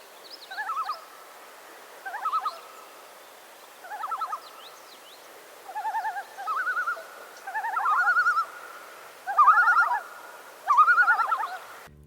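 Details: A Common Loon's tremolo, an alarm or distress call given when threatened on a northern lake. Quavering, laughing bursts about a second long repeat every one to two seconds, growing louder toward the end.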